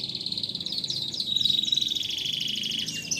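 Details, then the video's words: Canary in full song, a lure for stimulating lazy or silent canaries; a continuous high buzzy rolling trill, shifting slightly in pitch midway and running without a break, over faint low background hum. "PANCINGAN BURUNG KENARI GACOR ADA JEDA"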